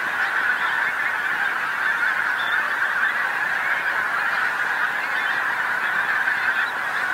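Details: Many Pink-footed geese gathered on a field next to a road along the North Norfolk coast, England, in evening light. A thick, even chorus of high honking calls fills the whole stretch with no pauses.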